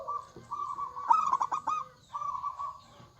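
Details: Zebra dove, a local bird singing strongly with a big voice: steady drawn-out coos, then a quick rattling run of pulsed notes in the middle, followed by another long smooth coo.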